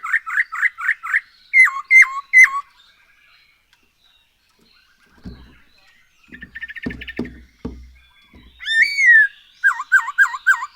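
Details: Black-throated laughingthrush song used as a lure for making birds sing: rhythmic repeated looped whistles, a pause filled with tapping and soft chatter, then a swooping whistle and more repeated bouncing notes.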